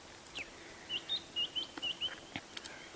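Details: A White-browed Scrub Robin sings merrily beside a safari vehicle at sunrise on July 21, 2016, near lion cubs: a run of short, high whistled notes, about three per second, with faint background noise.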